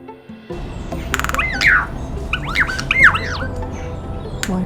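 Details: A critically endangered Regent Honeyeater gives a run of harsh, twangy notes that bend up and down, several in quick succession over about three seconds, over soft background music.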